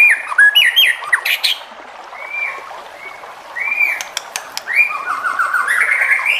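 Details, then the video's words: White-rumped shama song used to stir other shamas to sing: a loud opening flurry of bright whistled phrases, then softer drawn-out whistles and a closing rising warble, with clicking noises in between. "MURAI BATU JENIS APAPUN PASTI NYAUT EMOSI DAN GAK BISU LAGI DENGAN SUARA MURAI BATU INI"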